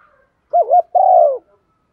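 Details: Rousing call of a spotted dove aimed at wild birds: two quick bouncing coos run into one long, slightly falling mellow hoot, with quiet surroundings.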